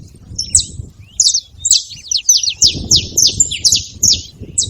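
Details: A gathering of saffron finches making noise: sparse high chirps early, then a rapid, overlapping run of descending chirps, with low rumbling noise underneath.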